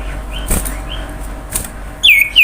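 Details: Common iora song used as a lure to get other birds singing; faint whistles early on, then two loud, clear whistled notes at the close that dip and slide downward, over low background hiss.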